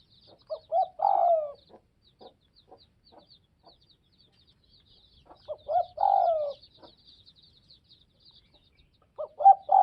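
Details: Spotted dove of the Tây Bắc (Northwest) region repeating its phrase about every five seconds: short choppy notes, then a rough, falling coo. Faint high chirps from small birds and soft ticking are heard between the phrases.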